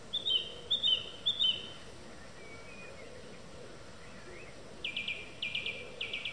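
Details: Evening song thrush song, with a bright whistled phrase given three times in quick succession, a short pause with faint notes, then a rapid, scratchy trilled phrase repeated three times. Constant low rumble beneath.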